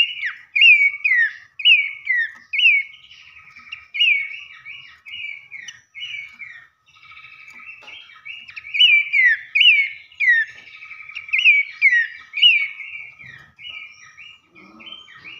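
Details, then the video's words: Lure song of a babbler, meant to set other babblers singing: bursts of bright whistled phrases, each a quick rise then falling slur, repeated in rapid clusters with short pauses between groups. "pancingan Dasyat sekali dengar pelanduk semak manapun gacor seketika"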